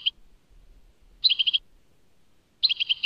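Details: European goldfinch, Tadmait song: short bursts of four or five quick, high tinkling notes, separated by over a second of near silence.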